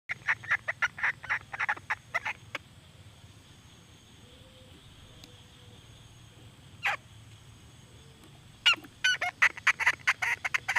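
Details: Female red junglefowl giving bursts of short, sharp clucking notes in quick runs, then a long quiet gap with one isolated note and a low hum, before a fresh run of rapid clucks.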